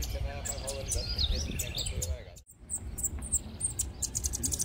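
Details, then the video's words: Several bananaquits, cage birds brought together by keepers, give high, thin, buzzy chirps and quick wheezy trills, overlapping one another, while men talk loudly close by. "Fiz uma baderninha de sibites com meus parceiros"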